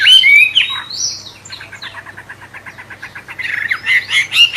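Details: Wambe bird with a magpie-robin-like voice, used as a training song for songbirds; loud whistled slurs open the phrase, then a soft rapid rattle of repeated notes, then bright whistles return.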